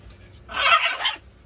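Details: A macaw kept as a pet, playing with its owner, gives a single loud, harsh, raspy squawk lasting under a second, rising sharply and then fading, over quiet room background.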